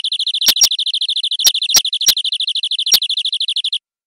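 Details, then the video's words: Local canary, described as wild from the forest, singing a full-isian song with rich cengkok: a fast, high, rattling trill sustained several seconds, broken by a handful of sharp clicks. "Suara Burung Kenari Lokal Full Isian"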